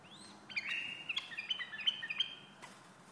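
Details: White-eared bulbul delivering a brisk run of clear whistled notes, bright and bubbly, stepping between higher and lower tones in a fast, uneven sequence, followed by a sharp click.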